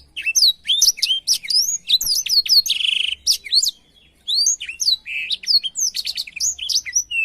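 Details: Energetic blackthroat song recorded for canary training: rapid whistled slurs, a buzzy trill, a brief pause, then another run of fast varied notes.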